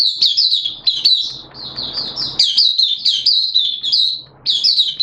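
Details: Oriental white-eye, a kept hobby bird, in song on 11 September 2022 amid wet, erratic weather. Shrill, jumbled twittering runs almost without a break, with a short lull before a final burst.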